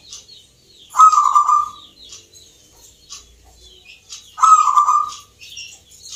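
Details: A local zebra dove at a singing competition in Yogyakarta, Indonesia, produces purring coos. Two loud trilled phrases come about three and a half seconds apart, with sparse high chirps from other birds between them.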